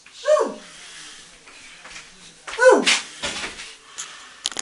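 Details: Molting female African grey parrot, eight years old and hand-trained, playing on a bathroom towel rail; two loud squawks sweeping steeply downward about 2.3 seconds apart, with softer rustling and clicks between.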